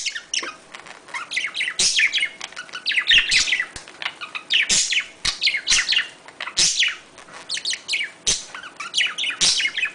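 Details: Mating chatter of budgerigars: a continuous stream of quick high chirps and twittering notes, punctuated by sharp clicks and rasping bursts, loudness rising and falling in short waves.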